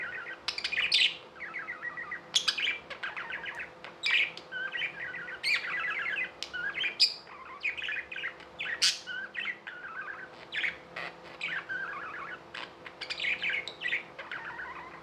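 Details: Several pet budgies in lively, continuous warbling: quick repeated chirps, buzzy trills and sharp high calls throughout, over a low steady hum.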